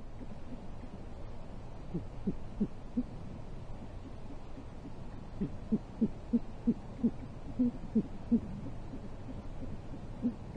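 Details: Great horned owls at a wicker-basket nest 40 feet up in Corona, California, USA, midday on 14 January 2023, as the male delivers prey and the female takes it and flies off; soft, low hoots repeated rapidly, about three per second, over a steady background hiss.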